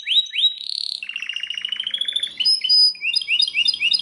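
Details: A Belgian canary sings very loudly, opening with two upslurred whistles and a short buzz, then a long evenly pulsed roll that climbs slightly, followed by high clipped notes.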